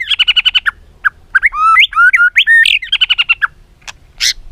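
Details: White-rumped shama song meant as a training lure for other shamas: a rapid series of repeated double-toned chips, then rising and falling clear whistles, more chip runs and a harsh final note.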